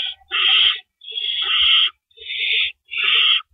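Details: Owls at a nest at 4:31 AM on April 4, 2012, while the adults bring rabbits in and carry them out; four loud, harsh, breathy hisses, each about half a second long, follow one another with short gaps.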